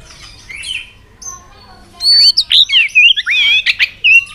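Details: White-rumped shama stirred to fighting song, a faint opening then a loud, jumbled run of high twisting whistles and harsh chattering notes in the second half.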